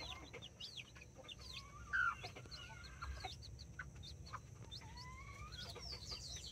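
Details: Two mother hens with nine chicks, Brahma and mini chickens, in a Colombian backyard; high peeps and long rising whistled notes from the chicks over low clucks and steady background hum.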